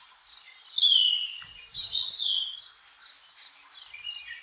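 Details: A Malabar Whistling Thrush sings in an Indian forest, giving a few clear, sliding whistled notes, the first dipping downward, over a steady high hiss of trilling insects.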